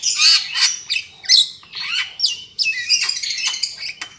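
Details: Javan myna lure sound for catching birds: loud grating screeches mixed with falling whistled slurs and squeaky notes in a continuous noisy chatter.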